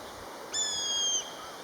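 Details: Common buzzard, part of a calling pair: a single clean, high whistle held steady for about seven tenths of a second, then dipping slightly at its end, heard over quiet background hiss.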